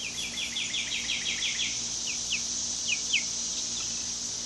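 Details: Two-week-old chicken chicks in their first minutes outdoors in a coop: a rapid run of about ten high, downward-sliding peeps, then a few scattered single peeps over steady background hiss.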